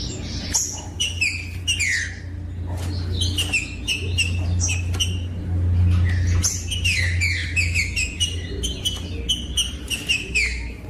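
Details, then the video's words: Green-winged saltator song for stimulating other saltators: bursts of whistled and slurred notes in clustered phrases, with a steady low rumbling hum throughout. "COM TRINCA FERRO CANTANDO"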